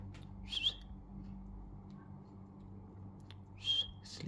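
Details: A newly acquired pet cockatiel, indoors in the evening and possibly sleepy, gives two brief, clear whistled notes a few seconds apart over a low indoor hum.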